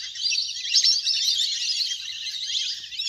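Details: Big duck flock splashing about on water, recorded in nature as a hunter's lure; an unbroken wall of shrill, squeaky chatter from many birds at once, steady in loudness throughout.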